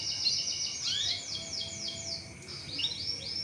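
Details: Short canary lure-song passage: a series of high downward-sweeping chirps repeated about three per second, then rising notes, over background hiss.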